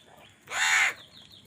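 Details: Crow fighting for food. A single harsh, hoarse caw of about half a second stands out over a quiet outdoor background.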